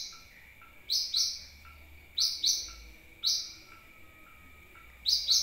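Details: Sunbird call used as a lure to attract birds: loud, shrill double chips falling in pitch, repeated four times roughly every second, against a faint steady whine and soft low hum.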